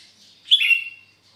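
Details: Brief single phrase from a sooty-headed bulbul singing gacor on a Sunday morning at Sukanegeri, OKU Timur. The phrase is a sharp, bright note that slides into a sustained warble.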